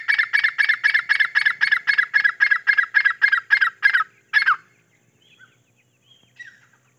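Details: Grey francolin with chicks foraging for food: a rapid run of about sixteen evenly spaced harsh, broadband notes over four seconds, then one separate note, followed by soft faint chirps and quiet.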